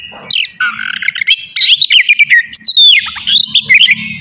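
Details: Oriental magpie-robin, kacer, in a morning session meant to provoke aggression and breeding urge in other magpie-robins; loud, varied whistled phrases of rising and falling notes with sharp chirps, sung in quick bursts.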